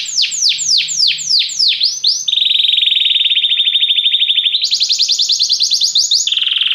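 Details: Canary singing a training song to inspire singing: repeated loud downward-swept notes, then a long rapid buzzy trill, then a higher trill tour, and finally a lower steady roll.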